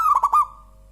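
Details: Local zebra dove giving a rapid burst of three or four soft, rounded cooing notes, each bubbling into the next, ending on a drawn-out fading tone, over a steady low hum.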